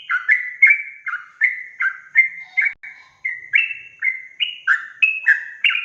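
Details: Sooty-headed bulbul delivering gacor ropel song, described as inflaming other bulbuls: a brisk, almost continuous series of ringing whistled slurs, each dipping or rising, with one short break midway.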